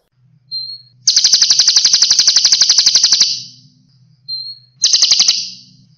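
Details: Kolibri konin Eropa sunbird singing for a cage-bird training recording: a brief thin whistle, then a loud, buzzy, fast rattle lasting over two seconds. A short whistle and another rattle follow over a faint low hum.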